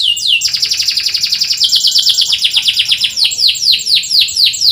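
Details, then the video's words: Canary chirping recorded to coax reluctant canaries into singing: a fast, continuous high trill of sweeping notes, shifting pitch partway through and ending in slower, separated down-slurred chips. "PANCINGAN BURUNG KENARI SUARA CUIT CUIT"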